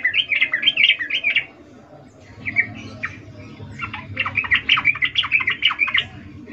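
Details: Breeding-condition ngecuplik call of a female sooty-headed bulbul calling the male, played as a lure: a burst of wavering chatter, a brief lull with a few scattered notes, then a longer string of undulating chattering notes over a faint hum.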